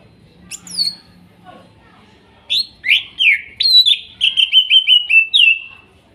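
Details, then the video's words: Greater green leafbird, forest-caught in Kuningan, trotol and nopeng stage, singing for birds that stopped singing: scattered chips, then an accelerating chain of buzzy downslurred whistles ending in a rapid repeated series. "TERAPI CUCAK IJO MACET BUNYI BAHAN HUTAN KUNINGAN TROTOL DAN NOPENG"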